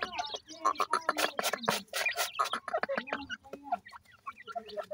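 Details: Young partridges and pheasant chicks peep loudly and constantly while being fed desi feed: quick high rising chirps from many birds at once, overlapping in a busy, uneven chatter.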